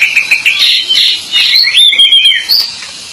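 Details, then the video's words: Pied bushchat in lively, full song: rapid, varied high chirps and warbled notes, then a clear whistled phrase that dips and rises, with a final sharp high note. "Burung Decu Gacor"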